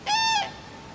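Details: Short crane trumpet from Friskalanlahti bay: a bright, harsh, level note lasting about a third of a second that fades quickly, followed by near silence with light background hiss.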